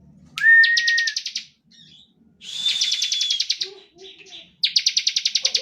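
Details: Lively bar-winged prinia in steady 'ngebren' song, used to lure other prinias into singing. Three bursts of rapid, buzzy pulsed trill, two led by a thin whistle, with brief soft chirps in the gaps.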